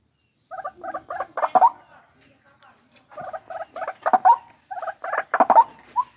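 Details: Captive-bred white-breasted waterhen calling. Three phrases of stuttering, nasal croaks start softly and swell into louder, grating notes, separated by brief quiet spells.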